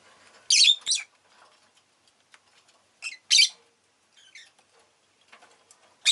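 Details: Rosy-faced lovebird, a pet bird, calling in short bursts of harsh, high chirps, paired notes then single squawky notes scattered over several seconds, with faint clicks and quiet pauses between.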